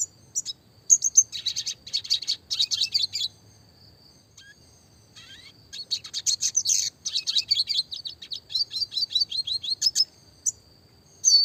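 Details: Red siskin, classic type, giving a clear rolling training song of rapid high chirps and buzzy trills in two long phrases separated by a pause of about two seconds.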